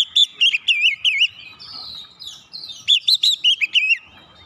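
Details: Oriental magpie-robin singing to provoke other birds: quick series of loud whistled notes bending up and down, a brief pause with thin drawn-out whistles, then another rapid burst of warbled phrases.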